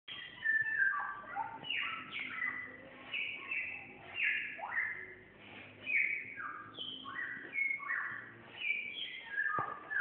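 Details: Samyong bird in full, energetic song: a continuous run of varied whistled and chattering phrases, many sliding downward, delivered in bursts about every second or two with no other clear sounds.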